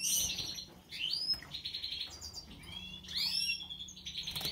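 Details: Lively European goldfinch song with tinkling high chirps, upswept and downslurred notes and short buzzy trills, delivered in irregular rapid phrases.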